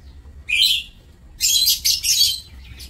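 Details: High, screechy chirps of lovebirds kept in an aviary, 27 March 2024: one sharp call followed by a dense harsh chattering burst lasting about a second.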